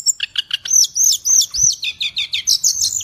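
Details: Cage bird song: a quick run of about a dozen high, bouncy arched notes repeated about three per second after a few lower chips.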